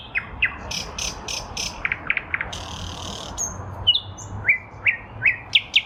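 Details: From a lilac bush in spring 2023, a nightingale gives a varied sequence: repeated high notes, a buzzy passage, pure whistles, then a string of sharp, evenly spaced notes rising in loudness.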